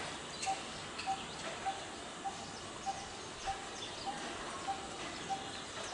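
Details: Coppersmith barbet giving a steady series of short, low, hollow tuk notes, about ten in six seconds at an even beat, over faint background hiss and distant chirps.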